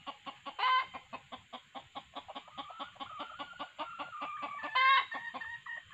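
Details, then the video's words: Loud, rhythmic clucking from red junglefowl lured by a male decoy and female sounds, with two harsh bursts and a drawn-out, wavering tone in between. "pikat jarang Kokok/Mikat ayam pakek pikat jantan+suara btina"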